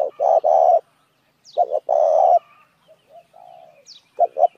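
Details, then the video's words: Spotted dove lure call used to draw in other doves: two clipped coos followed by a long husky coo, a pause with faint softer notes, then the phrase starting again. "tiếng chim cu gáy kích mồi"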